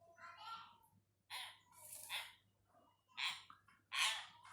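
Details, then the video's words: Hill myna practising words: a series of raspy, voice-like syllables of varying length, some hissy and bright, others lower and rounded, spaced irregularly about once a second, with a faint background hum. "Burung beo belajar kosakata"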